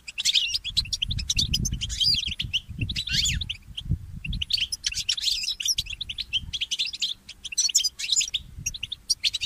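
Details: Goldfinch mule (goldfinch hybrid) in a morning chorus singing a fast, high twittering song of chirps and liquid trills in bursts with brief pauses, other birds chattering along over low rumble.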